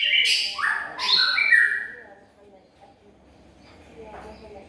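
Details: White-rumped shama giving about two seconds of rich, descending whistled notes, used as a lure sound, followed by near quiet with faint background noise.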